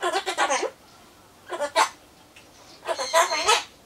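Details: Solomons corella kept as a pet, chattering alone while it waits for pumpkin, repeating goodbye phrases. Three groups of rapid, raspy speech-like syllables with rich overtones, separated by brief pauses of quiet room noise.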